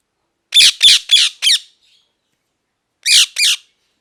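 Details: Parrot giving harsh, high squawks: a quick series of four rasping calls, a pause of over a second, then two more, with no other sounds.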